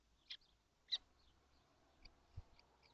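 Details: Seven kestrels inside a nesting box during hot weather in June 2025, uttering a few sharp, high, slightly buzzy chips, with faint softer squeaks and a low thump.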